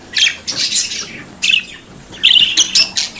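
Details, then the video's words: Budgerigar, an Australian parakeet kept as a pet, chattering: broad, rasping squawks and buzzy notes in uneven bursts, some stacked high and noisy. "Periquito Cantando e Conversando Sonidos de Periquito Australiano"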